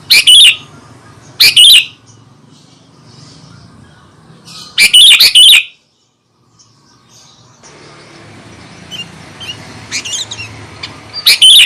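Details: Sooty-headed bulbul song meant to stir up other bulbuls: short loud chattering bursts repeated at intervals, with a brief silent gap midway and fainter distant notes near the end.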